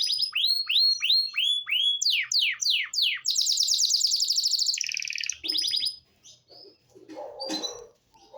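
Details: Belgian canary in the morning, singing a run of whistled downward-sliding notes repeated in rhythm, then a dense buzzy trill and shorter rattles; the song breaks off into quieter scattered notes and faint low background sounds.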